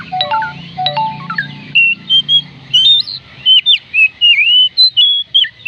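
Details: Oriental magpie-robin song, played to coax lazy birds into singing: opens with lower ringing notes, then a fast run of clear whistled slurs and rising-falling phrases, closely spaced and varied.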